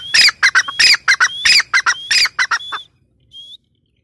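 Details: Grey francolin (teetar) delivering a loud repeated call: rising whistled notes alternating with sharp, harsh, ringing squawks at a steady pace for almost three seconds, ending with two soft, lone rising whistles.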